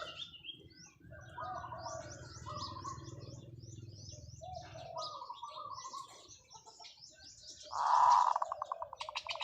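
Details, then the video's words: Zebra dove kept as a decoy, singing long calls: soft rolling coo phrases early on, then a loud, pulsed, stuttering coo near the end, amid many twittering songbirds and a low hum. "เสียงนกเขาชวาต่อ ออดยาวๆ"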